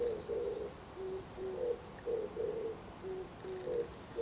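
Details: Oriental turtle dove giving its morning song, cooing in deep, husky notes grouped into a lilting four-note phrase that repeats steadily over a quiet background.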